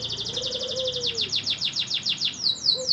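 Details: Canary singing vigorously, used to tutor competition birds: a rapid high trill that slows into repeated descending sweeps, ending in longer swooping notes, while a quiet low whistled slur runs underneath.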